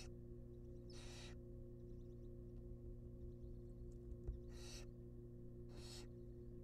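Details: Wild barn owl nestlings at a monitored nest box receive a rabbit: loud breathy hissing screeches of about 0.4 seconds, three spread over nearly seven seconds, faint ticks between, and an ongoing low hum.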